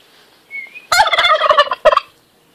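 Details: Turkey gives a short thin whistle, then a loud burst of fast gargling, rattling gobble notes lasting about a second, followed by a final brief throaty burst.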